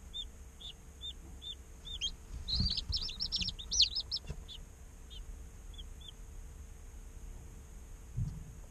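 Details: Day-old chicks peeping, real recording of chicks chirping and playing; evenly spaced single high peeps, then a dense burst of overlapping chirps near the middle, fading back to sparse notes over a steady low hum.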